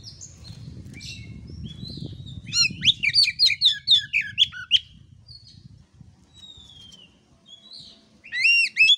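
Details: Oriental magpie-robin used as a master recording to prompt other birds: scattered thin whistles, then a rapid run of about ten sharp rising-and-falling chirps, a pause with soft notes, and a final pair of loud looping whistles; low background rumble.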